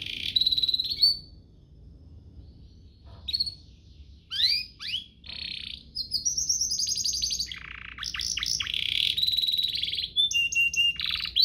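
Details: Domestic canary song with ornate variations, used to tutor young canaries: scattered short sweeping notes with quiet gaps, building into longer buzzy trills and steady whistles in the second half.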